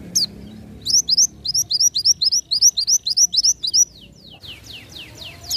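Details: Ngalas nembak song of an Oriental white-eye, meant as tutor material: a long, fast string of repeated high, downward-flicking chirps about four per second, ending in a few longer descending slurred whistles.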